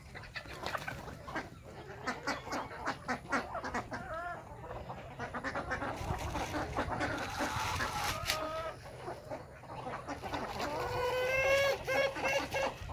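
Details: Morning on a village desi chicken farm with natural-hatch chicks: busy clucking and rising chirped notes from several birds, growing louder toward the end, over frequent clicking and pecking noises.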